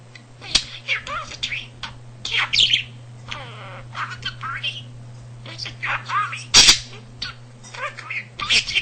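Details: Male pet budgerigar that learned almost 300 words and phrases by listening at home, chattering in a rapid, high-pitched scratchy voice with warbled speech-like bursts and sharp squeaks over a steady low electrical hum.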